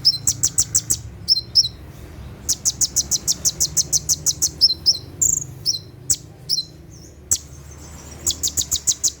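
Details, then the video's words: Rapid 'tembakan' song of a brown-throated sunbird (kolibri ninja) at night: long fast trains of piercing high ticks, about three per second, broken by paired downslurred chirps and a few brief gaps. "SUARA TEMBAKAN KONIN SAAT DIMALAM HARI"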